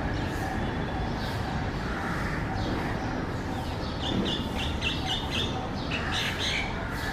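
Common myna giving harsh, squawking and chattering notes, busiest in the second half, over a steady low rumble of background noise.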